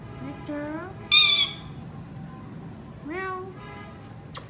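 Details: Indian ringneck talking parakeet in its natural voice: drawn-out rising tonal notes, then a loud harsh screech near the one-second mark, more upswept whistled calls later and a short high squeak at the end, over a quiet background hiss.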